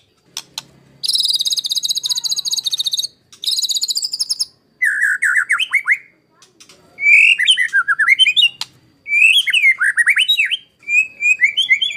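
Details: White-rumped shama master song, harsh 'tembakan kasar' style for training contest birds: long rapid high buzzy trills, then varied lower whistled phrases with sweeping rises and falls, delivered in separate bursts with short pauses.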